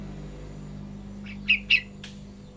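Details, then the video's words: Young yellow-vented bulbul learning to sing continuously: three short, bright chirped notes in quick succession late in the clip over a steady low hum. "anak trucukan belajar ngacor"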